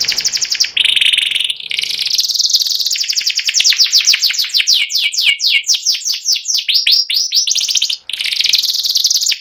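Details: Sustained ngeriwik song from a white panda canary: buzzy held notes, then long runs of fast downward-slurred chirps, about four per second, and dense high trills.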